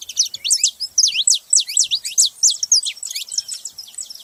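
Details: Several saffron finches calling together, a dense, continuous run of sharp, high downslurred chirps about four per second, overlapping and bright, with no other sounds.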